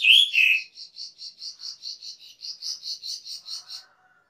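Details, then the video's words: Cucak keling master song for training cage birds: two loud slurred whistles, then a fast even series of about fifteen pulsed chips around three per second, ending with a faint low chatter. "SUARA MASTERAN CUCAK KELING/KERLING"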